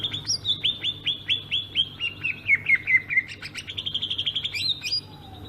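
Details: Greater green leafbird of Sumatra in rolling ngerol song: a series of down-slurred whistles, then a lower warbled passage and a fast trill of high notes, ending with a sharp upward whistle.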